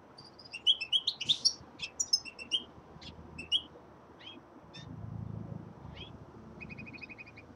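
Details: Winter song of a young male common linnet, a lively run of sharp chirps and twittered notes, then sparser single notes, ending in a quick even trill, with a faint low murmur in the background.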